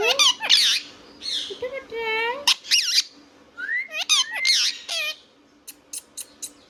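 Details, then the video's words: Harsh screechy squawks from a pet Indian ringneck parrot alternate with buzzy harmonic notes and looping, speech-like whistled syllables, fading into soft clicks at the end. "Ringneck Parrot Talking Sound video | Indian Ringneck parrot natural sound"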